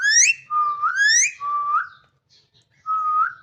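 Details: Parrot whistling: a series of smooth upslurred whistles, some long and sweeping, some flat then rising, separated by a short gap before a final steady whistle.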